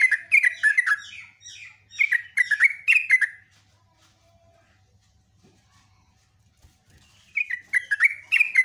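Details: A sooty-headed bulbul sings its long song as a lure: rapid bubbly, chattering phrases for about three seconds, a silent gap of nearly four seconds, then the lively phrases resume.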